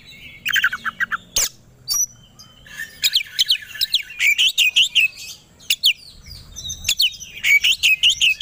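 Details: Caged white-rumped shama provoked to sing as if ready to fight: a quick low trill, a sharp crack, then energetic runs of loud falling whistled notes in fast succession.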